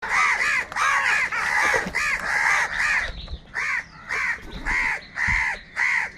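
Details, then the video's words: Large flock of crows crowing and crying, said to be fighting over food: harsh, hoarse caws at a rapid, uneven pace, often overlapping, with several birds calling at once and short gaps between bursts. "Kaka sound and noises of Crow birds | Huge numbers of Crows Crowing and Crying sounds"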